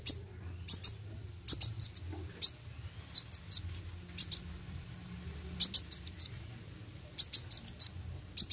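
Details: Sunbird, called kolibri wuling, singing in a lively rolling style: bursts of very high, sharp chirps and trills in quick clusters with short pauses, over a low steady hum.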